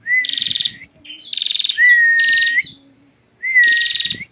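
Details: Female prinia singing in a full continuous 'ngentir' style: buzzy, trilled bursts alternate with clear whistled slurs that rise at the end, in phrases separated by short pauses.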